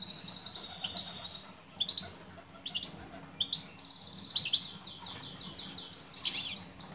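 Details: Female European goldfinch calling to a male: spaced high chirps at first, building into a fast, jangling series of twittered notes toward the end, over a quiet low hum.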